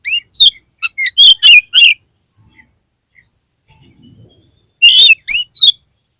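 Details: Oriental magpie-robin song played to stir a caged bird into singing: quick bright chirped phrases of high, sliding notes in two bursts, separated by a few seconds of near silence.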